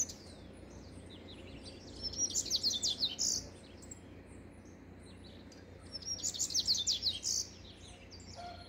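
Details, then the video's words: Two strong song bursts from a double-collared seedeater, high, rapid and chippy with a buzzy finish, roughly four seconds apart against a quiet, hissy background. "Papa-capim coleira cantando"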